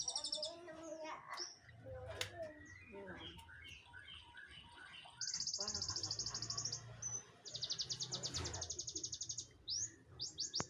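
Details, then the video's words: White-headed munia giving rapid, thin, buzzy, high-pitched chattering trills in long bursts, preceded by scattered soft chirps and a faint voice-like murmur. "burung Pipit bodol/ emprit kaji ngriwik"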